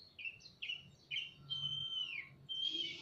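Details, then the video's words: Oriental magpie-robin pair, male and female, calling back and forth in a semi-natural aviary: three quick bright whistles, then a long sliding whistle and a rising drawn-out note. "Burung kacer gacor saut sautan di kandang aviary semi alam (ngobra)"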